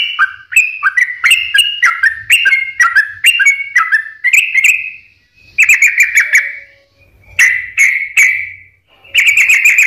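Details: Sooty-headed bulbul used as a singing lure for reluctant or stressed birds: a rapid series of bright, slurred whistled notes, then spaced drawn-out whistles separated by short silences.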